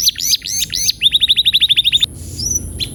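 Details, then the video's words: Canary song used as therapy to speed up rolling: looping chirps followed by a very fast, even rattle of short notes, then quieter scattered calls. "Kenari gacor‼️terapi burung kenari agar cepat ngeroll"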